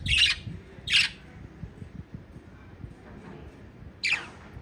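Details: Five lovebirds of a parrot family: three loud, harsh, high squawks spaced about a second and three seconds apart, with soft low rumbling and quiet chatter between them.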